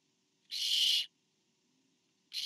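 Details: One loud, rough half-second screech from a Barn owl nest on 24 September 2015 as a parent delivers to owlet four, followed by silence and the start of another hiss at the end.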